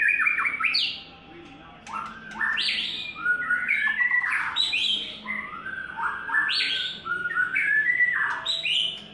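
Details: A white-rumped shama in its third molt sings a rich, varied run of fluty whistles and harsher squawky notes in quick phrases that rise and fall, with a brief quiet pause early on.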